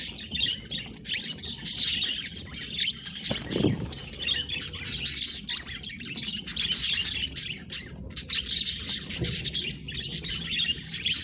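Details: Chattering pet budgerigars, several at once, pour out rapid high squeaks, clicks and warbled notes; a single dull low thump sounds early on.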